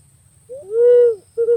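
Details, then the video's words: Pink-necked green pigeon (punai pink or walik ungu), said to be a very sensitive bird: a short upslurred note leads into a long, pure, level whistle that falls away, followed by another whistled note starting as the clip ends. "Suara Burung Punai Pink ( walik Ungu ) Jernih dan Ampuh"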